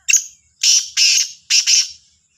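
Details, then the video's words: Black francolin, labelled Sahiwal, giving its morning call on 18/09/22: a brief harsh note, then three loud grating bursts, the last doubled, spaced about half a second apart. "کا لا تیتر کی صبح کی آواز | Kala Sindhi Teetar Ki awaz"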